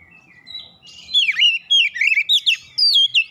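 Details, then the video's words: Angered oriental magpie-robin answering a provoking rival, unloading learned song: soft opening whistles build into loud, fast sequences of looping, down-slurred and rising notes. "sekali pancing Kacer lawan langsung gertak naik emosi bongkar isian"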